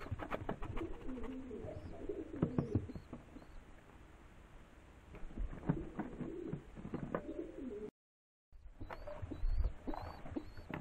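Rock doves give low, throaty rolling coos in overlapping bursts, several birds calling together, with a brief dropout near the end.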